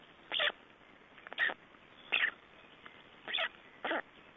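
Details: At an Estonian black stork nest, 3 June 2011, while the birds exchange places and feed: short rasping, noisy bursts, five in about four seconds, spaced unevenly against a quiet background.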